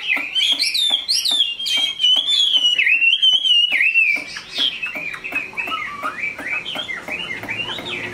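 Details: Kept pet Chinese hwamei of large build and fine voice. Several sharp clicking notes open into a sweeping whistled song that later breaks into varied, choppier rising and falling phrases.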